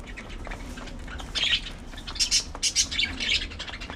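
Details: Several budgerigars shown in their daily round of play, squabbles and affection, giving short scratchy high chirps in two loose bursts after a quiet opening second.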